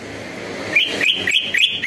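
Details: Greater green leafbird song used as a lure to warm up and provoke other leafbirds into answering: quick bright whistled notes, rising and falling, repeated in a rapid chattering phrase.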